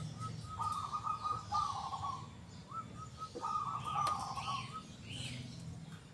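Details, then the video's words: Local zebra dove in lively song with a loud, clear big 'kung' voice: two long, fast-pulsed cooing runs, separated by a couple of short high notes, with distant birds chirping and a low rumble beneath. "PERKUTUT LOKAL GACOR SUARA KUNG BESAR YANG KERAS & JERNIH"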